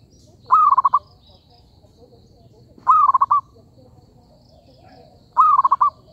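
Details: Zebra dove calling for trapping as a lure: three short stuttering coo phrases about two and a half seconds apart, each a steady note breaking into four or five quick pulsed notes, over a faint high hum.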